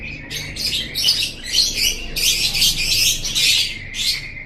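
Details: Lovebird chatter meant to train kept birds: a continuous run of shrill, buzzy squeaks and rasps pulsing several times a second, growing louder midway, then ending in a few sharp chirps.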